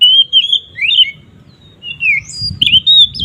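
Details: Oriental magpie-robin singing in the loud 'ngeplong' style, used as a lure to make other magpie-robins agitated. Clear slurred whistles rise and fall, with a quiet gap in the middle before bright phrases resume. A faint low rumble sits underneath.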